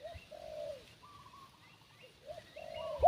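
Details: Spotted dove decoy call used to lure wild doves into flying toward the trap: soft, low, hoarse cooing notes, a slurred coo, a pause, then another drawn-out coo near the end, with faint outdoor background.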